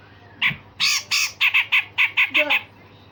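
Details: A grey-cheeked bulbul gives a rapid run of about a dozen harsh, rasping bursts in two seconds, loud and scratchy, over a steady low hum; its rough, sharp song is used to train other songbirds.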